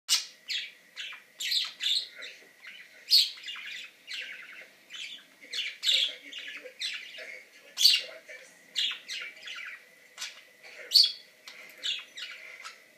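Budgerigars chatter in busy, scratchy bursts of high chirps and squawks, with little pause.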